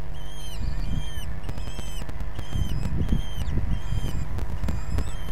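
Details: Common kestrel calls during feeding at a nest in Brest on 6 June 2022, picked up by a live nest stream: thin, high, slightly bent notes with overtones, repeated in quick bursts over a steady low hum and rustling.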